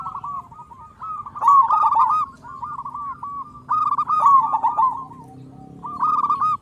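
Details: Local zebra dove in full voice, a loud caller used as a lure to get other zebra doves singing: rolling, hoarse cooing phrases of quick stuttered notes ending in drawn-out coos, repeated about every two and a half seconds.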